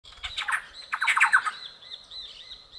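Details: A family of Thrush-like Wrens gives two quick bursts of harsh, scratchy chatter, protesting at Purplish Jays near their nest, then falls quiet; a thin high note carries on faintly behind. Jaguar Camp, Pantanal, Brazil, 5 July 2019.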